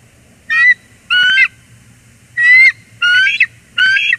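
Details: Bald eagles greeting each other loudly at Port Tobacco, USA, January 14, 2021, before the male flies off to fetch a gift: five piercing, harmonic squealing calls in quick succession, roughly half a second each, with a low hum behind.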